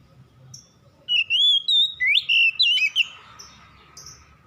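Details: Oriental magpie-robin at dusk singing a short phrase of pure whistled notes, a few level tones then looping upward slurs, ending after about two seconds amid faint distant chirps.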